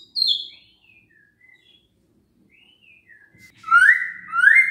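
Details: White-rumped shama song to coax lazy birds into singing: a high falling whistle, several soft scattered whistled notes, then two loud rising sweeping whistles at the end.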